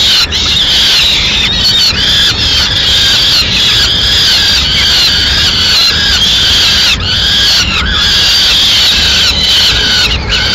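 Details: Female peregrine falcon bringing a pigeon to the nest in Madrid, 6 May 2016; a long, steady stream of shrill, squealing wails with only brief interruptions, loud and close.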